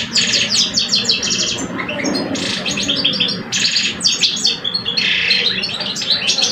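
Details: A singing contest between two male European goldfinches, one old and one aged two years: dense, fast twittering phrases with buzzy rattles and jingling notes, nearly continuous, over a faint low background rumble.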